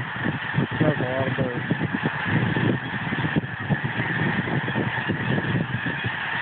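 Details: Snow geese in a very large flock, a dense mass of overlapping nasal honks forming a continuous roaring chorus, with distinct harmonic yelps standing out near the start over a low rumble.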